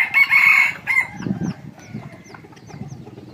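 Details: Red junglefowl at a site where a decoy rooster is kept to lure wild junglefowl, in the evening: a short, harsh crow rises and falls during the first second, then a brief second burst; faint chirps and rustling follow.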